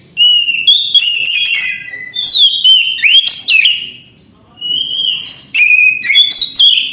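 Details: Orange-headed thrush in full, nonstop song: bright whistled phrases around the upper mid-range, sliding and warbling, broken by sharp buzzy notes and rapid chips, in two bursts separated by a short pause; faint low background hum.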